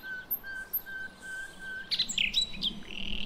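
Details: A quick burst of sharp, high chirps and a brief whistled flourish from a nightingale near the end, after a thin, steady high tone, in a lure recording described as a female calling the male, from the Javanese forest.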